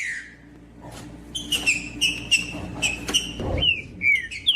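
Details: Green-winged saltator singing to warm up a cold bird: after a soft opening slur, a run of clear whistled notes, sharp slurred phrases repeated roughly every half second, some falling at the end, with a low room hum beneath.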